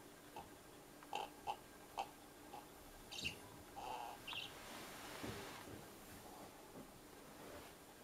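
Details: A pet parrot at an empty feeder gives three short, bright chirps about half a second apart, then a couple of softer, rougher notes; owner thinks it likes the echo. A low background hum runs underneath.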